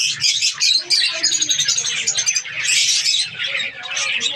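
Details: Australian parrots, budgerigars, in a Pakistani breeding colony: thick high-pitched chirping and warbling from a crowd of birds, with faint low hum beneath.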